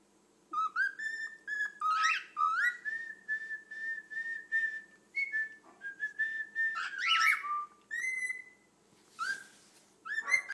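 Cockatiels whistle in clear, tonal phrases with rising slides and quick chirpy notes.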